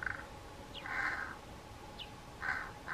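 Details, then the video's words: Pied crow making strange calls: short, harsh, rasping bursts repeated at uneven intervals, with thin, quick descending squeaks between them, over a faint background hiss. "Pied Crow's vocalisations"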